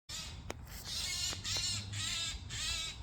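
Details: Eurasian jay (Garrulus glandarius), harsh call.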